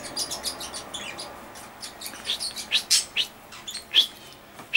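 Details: Common chaffinch recorded on 14 August 2013: a busy run of short, sharp, high chipping notes, irregularly spaced and several overlapping, growing louder toward the end, over a quiet background.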